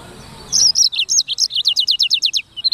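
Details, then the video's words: Black-throated canary, known locally as sanger, singing: after a half-second hush, a burst of high twittering notes gives way to a fast run of repeated downward-slurred whistles, roughly six per second, closing with a short high note. "BURUNG FINCH EDEL SANGER / BLACKTHROAT Suara Gacor"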